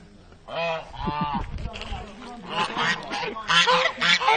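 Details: Farm geese honking at visitors to defend the territory around the house against intruders; harsh nasal honks in uneven bursts, some overlapping, with faint voices in the background.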